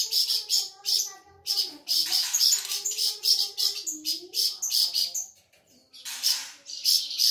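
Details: Flamboyan bird, an insect-eating bird found around Sumatra and used as a tutor for other songbirds, singing busily: rapid high scratchy chirp bursts in quick clusters, with a lower steady whistled tone running beneath.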